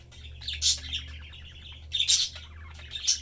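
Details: Pet parakeet family of three having fun and eating, chattering in fast, grating trills with two bursts of high shrill calls, over a soft low room hum.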